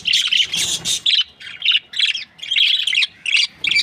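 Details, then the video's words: Australian budgerigar breeding pair chirping happily: dense, rapid bursts of bright, high chirps and squeaky twitters, closely spaced with brief gaps between runs. "Happy budgie chirping sounds"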